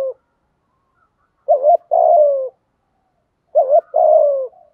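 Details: Spotted dove lure coo in 'thúc gù' style: two low phrases about two seconds apart, each a short two-part warble then a prolonged, gently sliding coo, over a quiet background.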